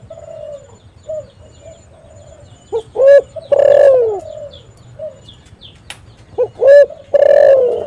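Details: Lure call of a spotted dove, used to make other doves answer. Two loud phrases of quick clipped notes run into a long, slightly falling coo, over soft background cooing.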